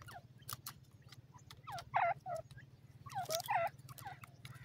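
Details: Black francolin chicks in Pakistan utter brief high chirps and squeaky downward-bending peeps in small bursts, louder clusters near the middle and end, with clicks and a constant low hum behind.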